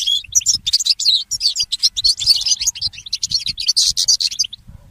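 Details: A goldfinch hybrid (mule) sings in the early morning, a training song for songbirds: an unbroken, energetic stream of high chirps, buzzy notes and quick trills throughout.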